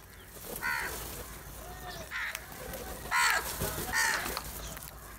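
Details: Black crows in a large group attacking cheese utter four spaced hoarse caws, the later two louder, over a busy background.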